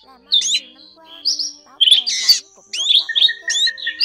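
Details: Drongo calls recorded as a trapping lure. There are scratchy twittering phrases and a loud rasping burst, then whistled slurs, followed by a level run of quick beaded notes, with a faint background hum.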